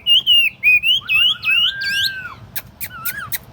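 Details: Chinese hwamei, a tame cage bird on a table, sings a series of loud pure whistles, some rising and some sliding down, over a softer lower whistle, then sharp clicks and a falling whistle.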